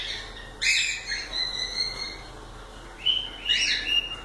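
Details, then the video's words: Pet cockatiels calling: a few shrill chirps and a rising whistled note, set against steady hiss. "Calopsitas Live de Agradecimento aos 500 Novos Inscritos Canto dos pássaros ASMR"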